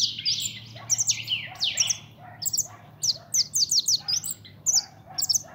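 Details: Young European goldfinch kept as a pet, described as pintón, delivering a fast tinkling song of bright chirps and downslurred notes in clustered runs, the bursts packed tightly together.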